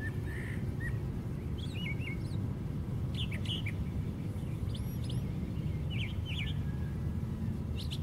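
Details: Brown thrasher singing from the top of a white pine: a varied run of short, bright phrases, many given twice in quick succession, over a steady low rumble of wind or distant traffic.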